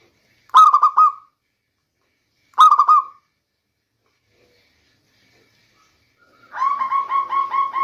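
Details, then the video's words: Local zebra dove used as a rainy-season lure: two brief bursts of rolling coo notes two seconds apart, then after a pause a denser run of repeated, harmonically rich coo notes. "Bunyi perkutut lokal terbaik untuk pancingan di musim hujan"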